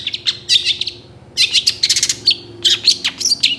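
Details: Energetic long-tailed shrike song full of borrowed fill phrases, recorded as training material for other birds: dense bursts of shrill chattering and whistled squeaks in clusters, with brief pauses between them and a faint low hum beneath.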